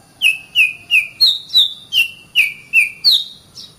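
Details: Oriental magpie-robin song for training other songbirds: nine clear whistled notes, each dropping slightly in pitch, repeated evenly about every 0.4 seconds.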